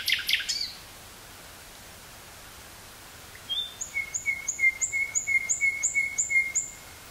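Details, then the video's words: Nightingale in woodland near Burgh-Haamstede, Netherlands, 18 May 1983, portable cassette recording: a brief harsh note, a pause, then a steady train of sharp repeated double notes, about three per second. "Nightingale singing near Burgh-Haamstede, NL"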